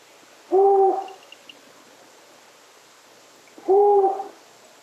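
A Long-eared Owl gives two low, soft hoots, each under a second long, spaced about three seconds apart, against a quiet, faintly hissing background.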